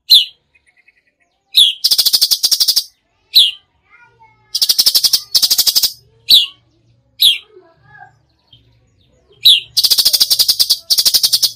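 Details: Cucak cungkok in full tembakan song, alternating sharp, downward-slurred whistles with bursts of rapid, machine-gun-like rattling notes, plus a few faint lower chirps.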